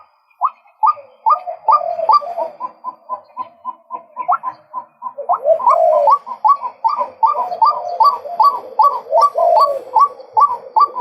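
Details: Male white-breasted waterhen calling steadily, a long run of short hooked notes that each rise sharply then drop, about two to three per second, with a brief pause partway before the series resumes louder and denser.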